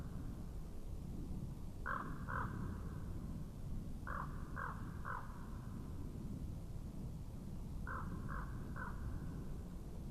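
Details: Common raven at a webcam site in Estonia, 2017: eight short, throaty croaks, heard in groups of two, three and three, spread over ten seconds above a heavy low rumble of wind.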